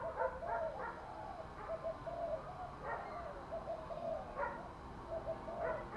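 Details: Spotted dove coos, played to draw a male into cooing: soft repeated low notes and short phrases, buried in constant hiss throughout.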